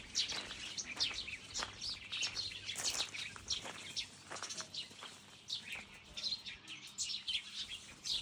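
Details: Several birds chirp together, sharp high tweets and rapid twittering notes tumbling over one another roughly once a second, with soft low ambient noise beneath.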